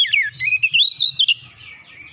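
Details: An oriental magpie-robin in open-beaked gacor song, used to stir other magpie-robins, gives a continuous warbled run of sweeping whistles that rise and fall, ending in softer twittering, with a faint low hum below.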